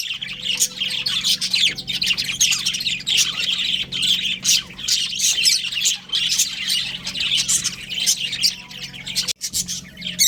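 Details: A breeding pair of budgerigars kept as pets, chattering almost without pause in dense, scratchy high chirps and warbles with a few sharper squawks, over a steady low hum.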